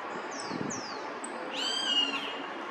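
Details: A small roadside hawk, unsettled by surrounding bird tweets, gives a drawn-out raspy scream that rises then levels off near the end, preceded by two or three thin sliding whistles from other birds over steady background noise.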